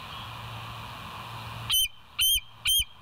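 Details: Bald eagle, West End nest cam, 6:21 am on 7 July 2023: low background hum, then three sharp, high piping squeals spaced about half a second apart.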